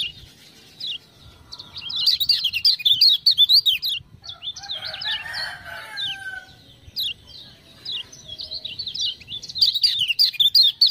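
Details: Lombok lemon-bellied white-eye used as a song tutor, roused by ciak-ciak sounds, sings energetic bursts of fast high chirps separated by short gaps, with a lower rough warble and crackling ticks accompanying the louder runs.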